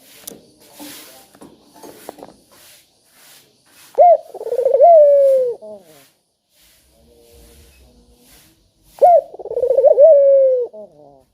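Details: Spotted dove heard as a calling lure for lazy doves. After some soft rustling and knocks, two clear phrases arrive about five seconds apart, each a sharp note, a fast stuttering roll and a long soft coo easing lower.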